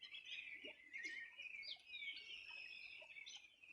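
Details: Riverbank birds of the Río Bueno, Los Ríos Region, singing one summer morning in 2020. A steady stream of high twittering and sweet whistled phrases, including one long drawn-out note, fills the passage without pause.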